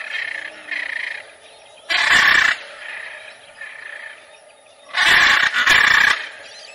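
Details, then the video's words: Macaw calling with softer nasal notes at first, then a loud raspy screech, more muted calls, and finally a double burst of harsh, grating squawks. "CANTO DA ARARA"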